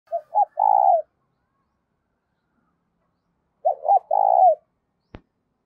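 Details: Spotted dove lure call used to draw doves in for trapping: two short cooing phrases about three seconds apart, each two quick clipped notes then a long, level, slightly falling coo, with a sharp click near the end.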